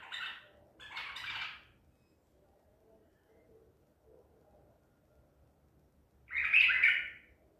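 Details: ['Baghdadi white-eared bulbul, caught at Medical City, 14 April 2021, sings two quick chattering notes, falls silent for about four seconds, then delivers one strong rich warbled phrase.']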